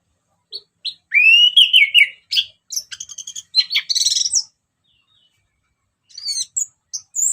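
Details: Orange-headed thrush, song for luring: short chips lead into a falling whistled phrase, then rapid scratchy buzzy notes and high squeaky twitters, a pause, and more short high notes.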